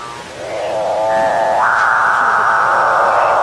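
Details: Capuchinbird singing: a droning, harmonic moan that swells in loudness, then steps up in pitch midway and holds as a long, steady, buzzy tone to the end.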